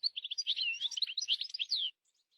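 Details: Wild European goldfinch delivering a brisk two-second phrase of bright, tinkling twitters and slurred notes, ending on a descending whistle, with no other sounds.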